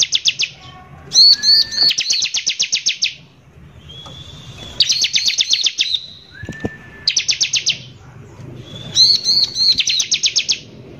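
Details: Lively Bar-winged prinia in harsh lure song meant to provoke other prinias: repeated dense bursts of rapid high buzzy notes, each often preceded by a slurred whistle, spaced a second or two apart.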